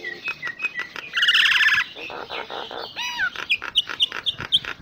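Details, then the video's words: Jalak nias (common myna) singing a full isian song: clipped chips, a loud buzzy grating burst, pulsed low rattles, a looping whistle, then repeated high squeaky notes. "Suara Kicaun Burung Jalak Nias Full Isian"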